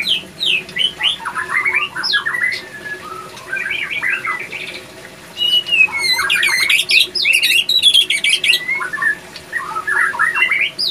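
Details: Breeding-condition male white-rumped shama, kept at a breeding facility; rich rapid song of slurred whistles, fast chattering runs and sharp upward notes, continuous through the clip.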